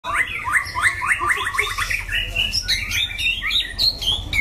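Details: White-rumped shama, a caged competition bird described as loud-voiced with varied phrasing and long endurance, singing a fast series of repeated rising whistled notes, then shifting into varied high sweeping phrases.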